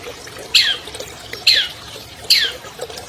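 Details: Albino long-tailed shrike, a 2020 champion, used to trigger song in silent shrikes: three strong rasping notes sweeping downward, roughly one every second.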